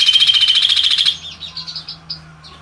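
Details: Chestnut-capped babbler (Timalia pileata) giving a fast, buzzy chattering trill for about a second, followed by a few faint, thin, high chirps.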